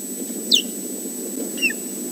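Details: Osprey at its nest at Loch Garten, calling loudly before its mate arrives for a swap over: two short, sharp whistled notes, each sliding steeply downward, about a second apart over a steady low hum.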